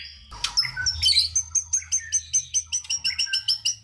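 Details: White-rumped shama singing energetically, a recording meant to rouse lazy shamas: a brief jumble of notes, then high, sharp notes repeated about four times a second.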